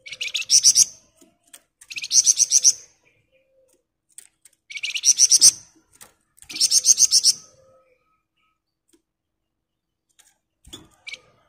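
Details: Sunda bush warbler in rapid ngebren song: four strong bursts of fast, high, sharply repeated notes, roughly every two seconds, then a long pause with faint ticks and a brief closing chirp.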